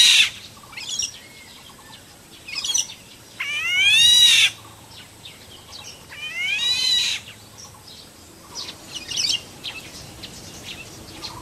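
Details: A black-naped oriole in the wild gives rich, slurred nasal notes that rise and fall, spaced a few seconds apart, with brief high chirps in between.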